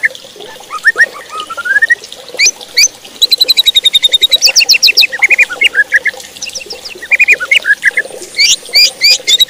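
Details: A White-rumped shama pours out a varied song to stir other shamas into emotional, aggressive singing. Rising whistles and squawky notes give way to long bursts of rapid, sharp, high repeated notes, with brief pauses between phrases.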